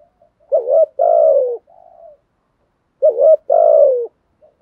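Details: Spotted dove performing a "thúc" song with cooing. Two phrases, each a quick dipping hoot followed by a drawn-out, burry coo that slides downward, with soft murmurs trailing after.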